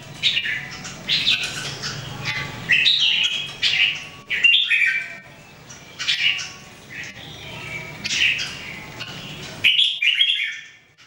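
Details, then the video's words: Three caged Red-whiskered Bulbuls practising song daily, giving loud chattering warbled phrases in irregular bursts every second or two, with a low background hum that stops near the end. "Training Jambul birds singing everyday 2018"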